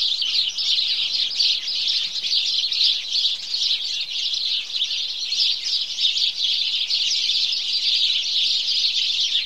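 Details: House sparrow morning chorus, dense and unceasing: a crowd of birds cheeping over one another in a bright, even, high-pitched chatter.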